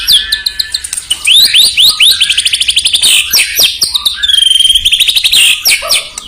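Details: Caged white-rumped shama song, played to provoke rival birds: loud, rapid whistled phrases with fast rising sweeps, sharp clicks and repeated chattering notes, a dense, varied outpouring.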